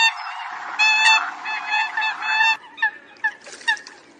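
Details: Flock-calling Eurasian coots give a run of sustained, honking, harmonic notes, then several short separate yelps with gaps between them.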